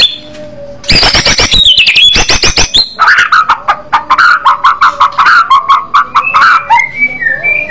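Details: Loud white-rumped shama singing in aggressive fighter style, opening with very fast rattling high notes in two bursts, followed by a long series of quick, rhythmic chattering notes and a final whistle.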